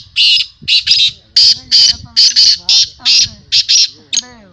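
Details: Harsh rasping calls of a black francolin at a 2022 calling tournament, about a dozen short grating bursts in quick uneven succession, with low male voices murmuring beneath.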